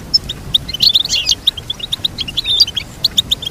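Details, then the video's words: Goldfinch singing a fast, dense twitter of high, liquid notes, with a busier jumbled burst near the middle and steady chirping to the end over quiet low hum. "Teach your goldfinch to sing beautiful motivational songs"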